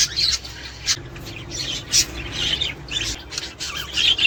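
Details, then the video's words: Budgerigars, recording aimed at stimulating mating and egg production: harsh squawky warbles and buzzy chirps in uneven bursts, a few sharp peaks, with a light low hum. "تحفيز طيور البادجي الأسترالي علي التزاوج والانتاج والتكاثر والبيض"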